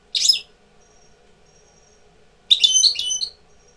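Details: A European goldfinch, a tutor bird coming into breeding condition, gives two bright, tinkling bursts of twittering, the second longer and more liquid, over a faint steady hum.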